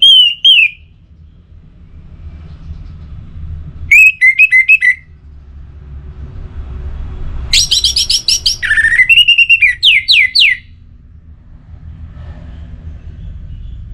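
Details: Orange-headed thrush, kept for singing, in pacing-style song: a wavering whistle, a short rattling phrase, then a long lively run of rapid, varied chattering whistles and slurred notes lasting about three seconds, over a low hum.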